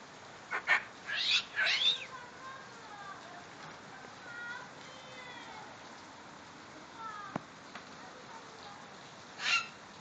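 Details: A female medium sulphur-crested cockatoo, happy after seeing rain, gives several harsh, raspy screeches near the start and one more at the end, with softer wavering notes between over a faint background hiss.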